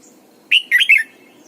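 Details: Caged Red-whiskered bulbul decoy in morning song, double-note style like an old wild bird; a quick three-part whistled phrase, bright and warbled, lasting about half a second.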